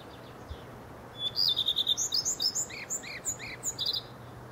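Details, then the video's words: Singing redstart: one brief high note, then a quick run of repeated chirps, followed by varied twittering phrases mixed with lower buzzy notes. The phrases are loud and clear over a quiet background. "codirosso canta - redstart singing - bird sings - bird song Gartenrotschwanz singt Hausrotschwanz"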